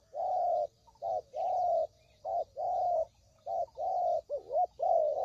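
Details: Spotted dove lure call for trapping birds: a steady series of soft, low, hollow coos, long and short notes alternating with brief gaps, some ending in a quick wavering dip, about fifty per minute.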